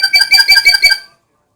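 A black-capped lory gives about five harsh, nasal, rasping notes in quick succession over one second, then stops.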